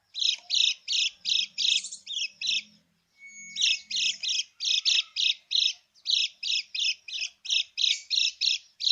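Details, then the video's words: Krekek luring call of a lemon-bellied white-eye for birds that have gone quiet: loud repeated harsh notes, about three per second, with a pause near three seconds and a faint low hum behind. "kecial kuning krekek pikat kecial kuning macet total atau malas bunyi 99%√ nyaut lawan"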